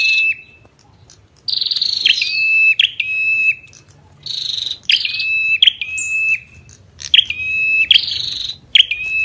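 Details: Ashy tailorbird and female calling together: repeated bursts in which an abrupt sharp note drops into a sustained level whistle, interleaved with rasping higher notes. Brief pauses separate the phrases, and a soft low rumble continues throughout.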